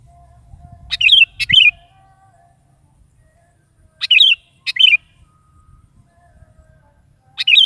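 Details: Morning song of a lively sooty-headed bulbul, used to coax a caged bulbul into answering: brief liquid, warbling phrases, each led by a crisp click, repeated roughly every three seconds in a quiet setting.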